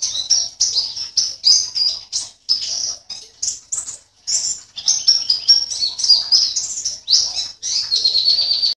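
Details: Pleci, a Javan white-eye kept caged and singing for an online contest, from Sambas in West Kalimantan: fast, shrill chattering phrases of high twittered notes and short warbles, strung together almost without pause, with a few flutters of wings.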